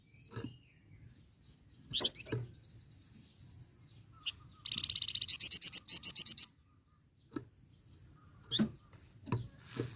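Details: Flamboyan bird in full, lively song, kept as a tutor recording for training other songbirds, in the nyecret and ngerol styles: high sharp chirps and whistles, a flat buzzy note, then a loud rapid rattling trill of about ten pulses, with low background hum.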